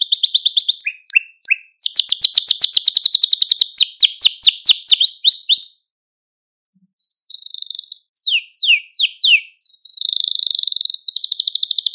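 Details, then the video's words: A Malta canary sings to stimulate other canaries: a long, rapid, high trill of sweeping notes stops for a silent gap, then returns as sharp downward sweeps and a steady buzzing trill. "Süper Bir Malta Kanarya Sesi Ve Ötüşü | Kanarya Huylandırma ve Kızıştırma"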